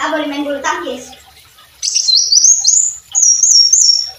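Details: Brown-throated sunbird song used for tutoring songbirds, two high, rising, stepped phrases after a short burst of human speech at the start.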